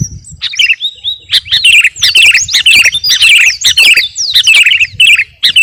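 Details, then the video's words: Sooty-headed bulbul (kutilang garuda) in full training song for captive birds: a long whistled note, then quick chattering and looping slurred whistles in close succession, growing denser through the phrase. "KUTILANG GARUDA GACOR..!! SIAP TEMPUR KICAUAN"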